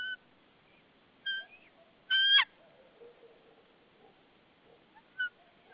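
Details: White-tailed eagle pair at their nest in Saunja, Estonia, 22 March 2013 at 14:08, nest camera; the male arrives busy with a stick while the female calls: sharp, clipped yelping notes, one louder burst mid-way, quiet between.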